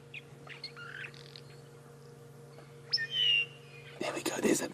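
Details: Mosque swallows basking and sweeping about in early-morning sunrise light in South Africa give scattered short, high chirps and a brief nasal note over a steady low engine hum, with faint speech and a burst of noise at the end.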